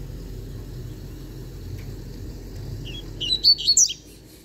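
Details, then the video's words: After a quiet stretch, a young novice double-collared seedeater delivers one quick cluster of sharp, high twittering notes. "Papacapim Novato Cantando Bitolado!!!"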